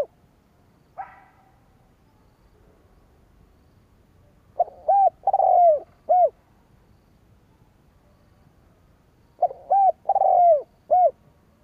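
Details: Spotted dove calling to lure rival wild doves. After a faint note early on, two full phrases of low coos arrive roughly five seconds apart. Each has brief notes around a long, falling croon.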